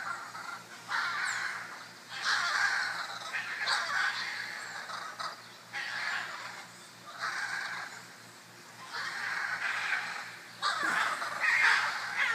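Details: Group of 14 scarlet macaws near Tarcoles, Costa Rica, fussing over a perch in a backyard: repeated harsh, grating squawks in bursts about every one to two seconds, overlapping calls from several birds.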